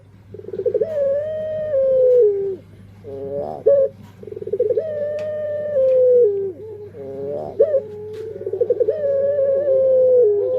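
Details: Puter pelung dove cooing: long, level, drawn-out coos that slide down at the end, broken by rapid rolling trilled notes, in three phrases, over a steady low electrical hum.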